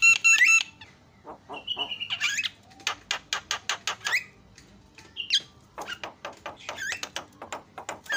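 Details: Asian pied starling song aimed at provoking other starlings: opening bright rattle, a long whistle, then many quick dry clicking notes mixed with short squeaky slurs.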